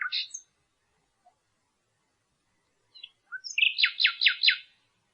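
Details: Bird song in a quiet setting: a brief chirpy note, a pause, a few soft high notes, then four loud, quickly repeated descending notes.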